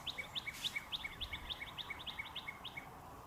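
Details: Cardinal mating call, a female in trees calling for her mate with a red male close by: a fast, steady series of crisp, sharp chirps, about six a second, lasting three seconds against a quiet background.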